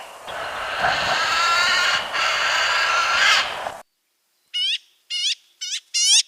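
A magpie gives harsh, rasping chatter: first a dense, noisy stretch of about four seconds, then four short grating calls after a pause.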